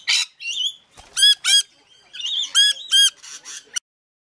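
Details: Rainbow lorikeet feeding frenzy at Mount Tamborine, Queensland, Australia: loud, ringing squawks given in pairs, each harsh with rich overtones, mixed with softer raspy chatter, about four seconds of calling.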